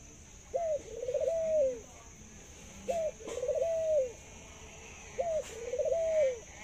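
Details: A caged zebra dove praised for its laughing call and long coo. Three unhurried phrases, spaced over two seconds apart: a quick rising note, a pause, then a long purring, wavering coo that swells and falls.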